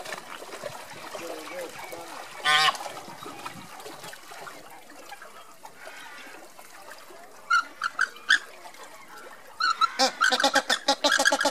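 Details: A marching flock of Andean flamingos (Phoenicoparrus andinus) gives nasal, goose-like honks: a lone call first, then a few short bursts, then a rapid, overlapping chorus of many birds, over a soft wash of water.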